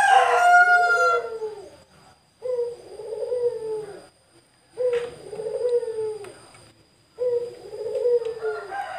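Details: Male Barbary dove, free indoors inside a house and described as calling eagerly, gives low, throaty coo phrases about every two and a half seconds, each rolling and slightly falling. A brief harsher, higher-pitched call opens the sequence.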